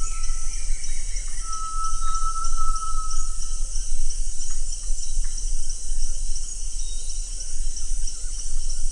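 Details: ['Great tinamou calling with a clear, level whistled note lasting about three seconds, then fading; a steady high insect drone and low background rumble continue throughout.']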